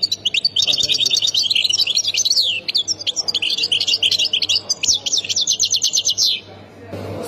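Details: Sustained high, liquid song of a European goldfinch in the Khemis Miliana style from Ain Defla, Algeria: varied twitters and slurred notes leading into a fast, regular trill, then quiet with low background sound.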